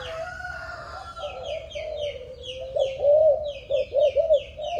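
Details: A young, seven-month-old Malaysian-type spotted dove gives soft, low, arched coos in a quick run over the last two seconds, with high, thin chirps from other birds repeating throughout.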